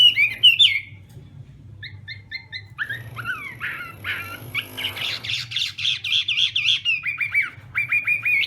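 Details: Morning voice training of a Chinese hwamei in fighting-song style: a few bright whistles, a short lull with soft clipped notes, then a surge of dense, harsh rasping phrases giving way to sweet, repeated slurred whistles.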